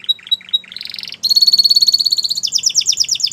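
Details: White Belgian canary singing: three short high whistled notes, then a buzzy trill, a long rapid rattling tour, and a fast repeated doubled phrase near the end.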